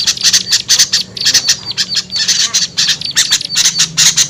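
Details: Harsh chattering of small birds used as a lure: quick, scratchy high notes in uneven clusters over a faint steady low hum.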